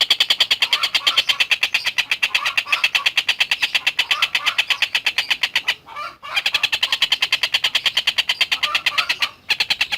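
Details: Long-tailed shrike singing vigorously for a masteran training recording. A relentless stream of rapid, harsh, rasping notes runs for ten seconds, broken only by two short gaps, with fainter lower chatter mixed underneath.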